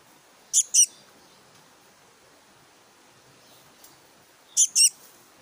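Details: Black-naped monarch chick giving short, harsh, high hissing notes in two quick pairs, each pair a double rasp, the pairs about four seconds apart over a quiet background.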